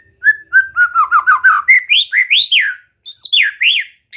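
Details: White-rumped shama in full song, for practice to get a bird singing: a string of descending whistled notes, then loud upward-swooping phrases and rolling down-slurred whistles after a short pause.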